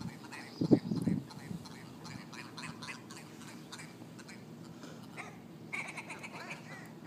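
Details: Ptarmigan flock squabbling on a street in Yellowknife, Northwest Territories: a loud burst of low, gravelly croaks near the start, followed by softer distant chattering and clicking calls over steady background noise.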